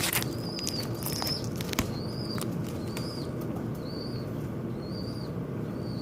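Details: Birds fighting at a window, noisy: short high chirps with a bent, slurred shape, repeated about once a second, mixed with sharp tapping clicks against a steady low background rumble.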